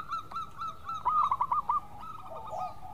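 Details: Local Indonesian zebra dove in a lure recording, singing actively in sweet voice. Repeated soft rolling coos with quick trilled pulses, several overlapping phrases, and a faint background hum.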